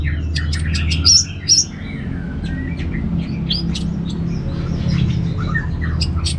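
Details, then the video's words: Orange-headed thrush from Singaraja, Bali, a kept songbird, producing dense jumbled high chirps and short whistles with two louder accents near the start, against strong low-pitched background hum. "$uara ANIS MERAH Ngeplong"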